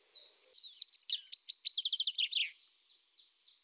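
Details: Eurasian tree sparrow giving a quick series of high, thin chirps, about a dozen closely spaced notes, then softer scattered chirps fading out in a quiet setting.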